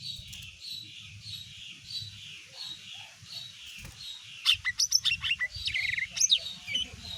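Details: Greater green leafbird, the mini type, singing to provoke other birds into responding: a row of slurred whistled notes repeated steadily, then a rapid burst of sharp, high chirps and trills. A low hum runs underneath.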